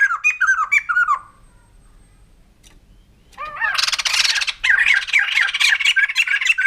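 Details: White-crested laughingthrush giving a quick series of squawky, bouncing notes, a quiet gap of over two seconds, then a swelling, raucous chattering chorus of rapid harsh notes that runs on to the end.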